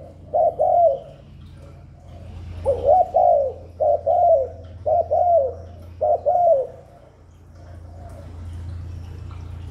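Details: Spotted dove giving a lure coo meant to draw wild doves and rouse newly kept birds: soft, hollow paired coos bunched into a burst of about five phrases mid-recording, quiet low hum before and after.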